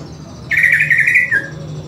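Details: Greater green leafbird song during training with master audio, a sudden rich chattering phrase of quick warbled notes that ends in a short falling slur, with steady low hum behind.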